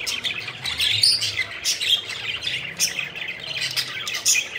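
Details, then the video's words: Playful pet budgerigars flying around, chattering with rapid squawky chirps and short sharp tweets, a dense overlapping flock sound with a faint low hum beneath. "Budgies Having Fun: Playful Birds Flying and Chirping Joyfully"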